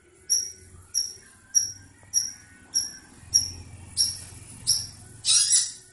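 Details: A village Long-tailed Shrike calling to mate gives sharp, high chirps repeated steadily about every half second, ending in louder, harsher notes over a faint low hum.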